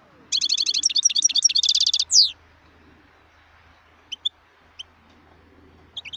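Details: Wild European goldfinch recorded in 2018, singing a fast run of tinkling, twittering notes with a descending nasal slur at the end, followed by a few isolated chirps over a low background hum.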